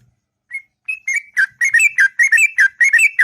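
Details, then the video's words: Sooty-headed bulbul, locally trucuk, singing in the morning in long, sweet ngropel style: a brief opening note, then a quick run of about fifteen bubbly, liquid whistled notes rising and falling without pause, over a quiet background. "Burung Trucuk Ngropel Panjang & Merdu Di Waktu Pagi"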